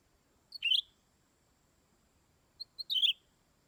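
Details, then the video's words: Greater green leafbird with two brief twittering phrases, each starting with a couple of thin ticks and ending in a bright chirpy flourish, separated by two seconds of quiet. "Denak Burung Hijau Sami"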